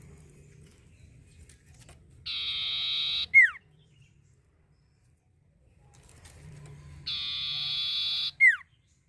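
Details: Common iora (cipoh) song used as a lure to stimulate other birds to sing: a long, flat, buzzy harsh note ending in a sharp descending whistle, the phrase given twice with a pause, faint low hum beneath.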